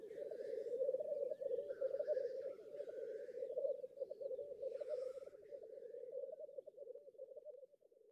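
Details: Black grouse bubbling at a lek in northern England, a sustained low gurgling murmur broken by scattered hissing sneezes, fading toward the end.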